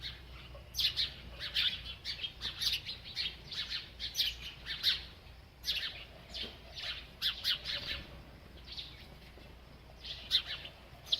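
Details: A busy bird chirping as it eats, giving quick sharp chirps and squeaky notes in irregular clusters, with a few short gaps, over low background hum.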